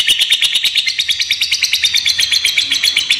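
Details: Unbroken high chattering ngekek of a fighter lovebird, used to lure and tutor other lovebirds, made of quick sharp pulses repeated several times a second at a steady pitch.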